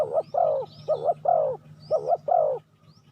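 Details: Spotted dove calling to draw in wild doves: three phrases, each a brief hoot then a fuller rolling coo, given roughly once per second, ending in quiet; soft rising whistles of another bird sound faintly above.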